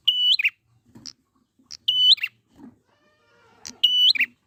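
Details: Wild prinia meant as a lure to make birds sing: a steady, level whistle with a sharp chirp at its end, repeated three times, with scattered soft clicks and brief high ticks between phrases.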